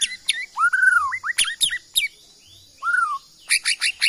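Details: White-rumped shama of Bornean stock, originally from Kalimantan forest, singing clear whistled phrases that slide and curve, with a warbled note and short bursts of sharp high chips between them.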